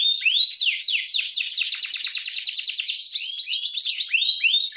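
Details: Powerful canary song for training birds, made of repeated downward-sweeping whistles that merge into rapid rolling trills, then rising slurred notes, high and continuous throughout.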